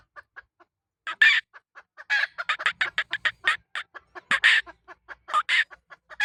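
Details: Hen cackling in an uneven stream of short, sharp notes, some soft and some loud and rasping, packed closely together with brief gaps.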